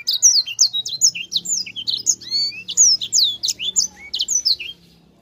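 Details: Sanger bird singing in the lively rolling style called gacor ngerol: a fast, unbroken stream of high whistled chirps and sharp slurred notes, some rising and some falling, with a faint low hum underneath.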